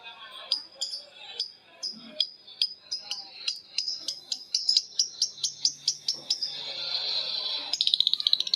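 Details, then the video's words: Several caged lovebirds answering one another in long ngekek chatter: rapid high sharp chips speeding into a dense buzzing trill, then a burst of quick clicks at the end. "Suara Lovebird ngekek panjang❗Suara bikin Lovebird Betmen vs vio vs paskun saling bersautan."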